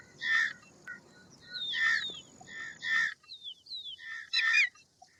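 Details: Indian roller giving harsh, rasping broadband calls, four loud bursts spaced about a second apart, with thin whistled and slurred notes of other birds between them and a low rumble underneath.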